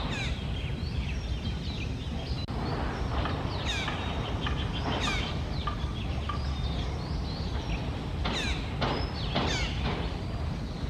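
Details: Red-breasted parakeet outdoors, repeating abrupt downward-slurred shrieks, some loud and clustered, scattered across the stretch, with steady low-frequency background noise throughout.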